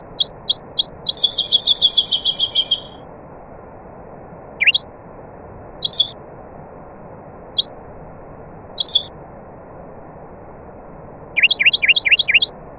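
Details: Nightingale song with other birds present: a rapid run of sharp repeated notes flowing into a fast buzzy trill, then scattered single high chirps spaced a second or two apart over steady low hiss.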